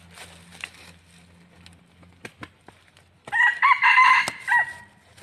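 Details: Red junglefowl used as a decoy bird for trapping gives one loud crow of about a second and a half: a harsh, harmonic, broken phrase in clipped segments. Faint clicks and rustling come first, with a low hum in the background.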